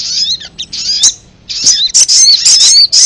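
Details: Lure recording of ruby-cheeked sunbird meant to attract wild birds of its kind; shrill twittering with rising and falling slurs, a brief pause, then a dense, sharp chattering run.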